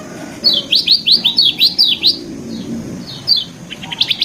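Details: Lemon-bellied white-eye singing a varied training song: a steady string of about ten bright downslurred chirps, then a short pause and a few quicker high notes, over a low background rumble.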